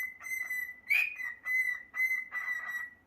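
A cockatiel whistles a long, clear, steady note that swells and fades in pulses.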